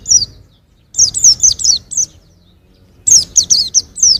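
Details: High, quick chirps in two runs of about five notes each from a young white-eye in 2021, a faint low rumble underneath.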